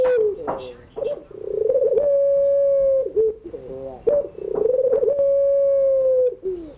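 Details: Puter pelung dove crooning in the afternoon, a trilled rolling start swelling into a long sustained coo that slowly drops in pitch, then a short break of stuttering notes before the phrase repeats.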